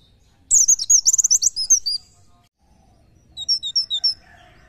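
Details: Oriental white-eye delivering 'nembak nyepeed' song for masteran training: a rapid run of high, slurred chirps lasting about one and a half seconds, then a shorter, softer series of clipped tweets.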